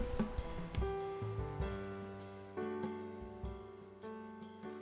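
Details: Instrumental music with sustained piano-like notes, bass and light percussion plays throughout, and no animal is heard.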